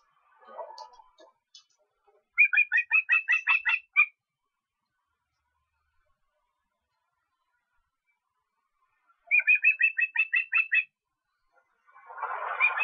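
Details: An osprey in Estonia on 23 August gives two bursts of rapid, high whistled cheeps, about ten notes each, separated by a pause; brief rustling noise opens and closes the recording.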